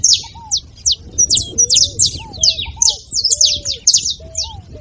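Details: Saffron finch singing, used to fire up a quiet bird: quick strings of piercing high descending notes, some doubled and crowded together, over faint low whistled arcs in the background.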